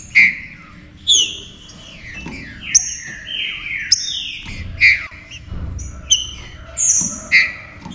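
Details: Green-winged saltator singing to rouse other saltators into active, fiery singing: repeated bursts of clear downward-slurred whistles with sharp high accents roughly every second, phrases overlapping densely, faint low rumble beneath.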